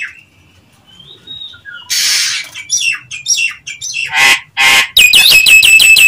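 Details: Lure call of a Nias hill myna for provoking other mynas: a thin whistle, then loud rasping squawks and harsh bursts, finishing in a rapid series of bright, ringing repeated notes.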